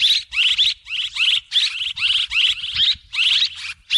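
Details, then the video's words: Chattering swiftlet lure call: about a dozen closely spaced bursts of rapid, rising twitters across four seconds, loud and steady, with soft low rumbling beneath. "ສຽງນົກແອ່ນ ຄໍເລດ(ສໍາລັບຕໍ່) Tiếng én, Tiếng Chim Én เสืยงนกแอ่น คอเลด สำลับต่อ"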